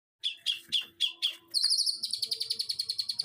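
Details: Long-tailed shrike, a kept bird singing loudly in the continuous 'los trotol' style: a few harsh, scratchy notes about a quarter-second apart, then a fast, buzzy, rattling trill of high clicks. No other sounds.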